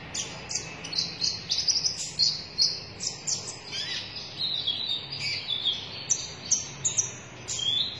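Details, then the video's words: A sunbird sings a rapid, high-pitched stream of thin chirps and sharp twitters, running almost without pause over a faint background hiss. "KONIN DADA MERAH GACOR"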